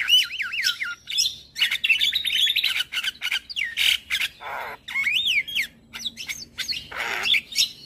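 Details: Javan myna (white-eyed form) singing energetically in the morning, a recording used to train and prompt other birds: looping whistled phrases that rise and fall quickly, mixed with harsh buzzy bursts and short sharp chirps.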